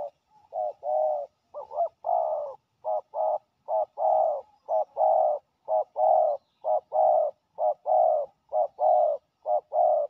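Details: Dominant territory-holding male spotted dove drawn to a decoy on the ground, cooing steadily: a rapid string of low, rolling coos in clipped short-long couplets, about one per second, loud and near, background otherwise quiet.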